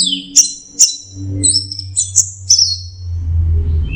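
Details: Orange-headed thrush, known locally as anis merah, singing in the teler style: short high whistled phrases mixed with sharp clicks, then a pause over a steady low hum.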